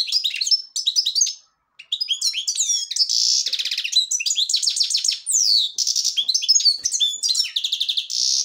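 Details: Singing black-headed goldfinch of the Devonshire-type song style: bursts of fast, high chirps and trills, buzzy segments and a brief silence near the start.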